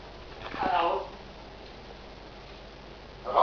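An African grey parrot speaks a short, voice-like word near the start, then begins another at the very end; a quiet indoor room between.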